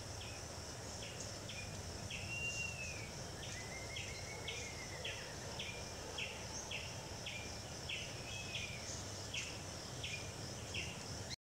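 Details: Scale-throated hermit giving a long steady series of high, squeaky downslurred notes, about two per second, over a constant high insect hum.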